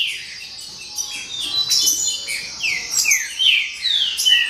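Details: Several green-winged saltators singing together in a racket of bright, downslurred whistles, phrases overlapping and following quickly, two to three notes per second, high and clear with little else behind them.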